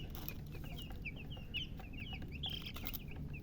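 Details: Newly hatched chicken chicks chirping loudly: many short high rising-falling peeps overlapping in a busy chorus over a steady low rumble of background noise.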